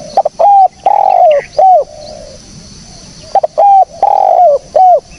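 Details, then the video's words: Clean spotted dove cooing for luring birds: two matching phrases, each a quick lead-in, a short coo, a long sliding coo and a clipped ending note, separated by a pause. Distant soft coos and chirps are heard between phrases. "SUARA BURUNG TEKUKUR BERSIH JERNIH, cocok buat pancingan / pikat"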